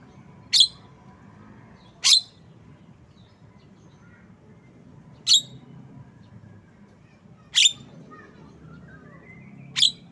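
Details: Javan myna calling with five sharp, rasping high notes at irregular intervals of one to three seconds; faint thin whistles in between and a low steady hum.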